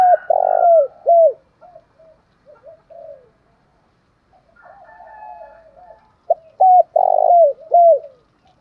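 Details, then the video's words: Spotted dove coos for luring rival males: a loud phrase with a long rough coo and two falling notes, soft quiet coos, then a second identical phrase after a pause. "tiếng chim cu gáy kích bổi giọng gáy hay mới"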